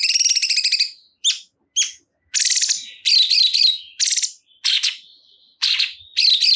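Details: Harsh buzzy phrases and warbling loops from a sooty-headed bulbul (cungkok), separated by short high chirps and brief silences, in an uneven rhythm.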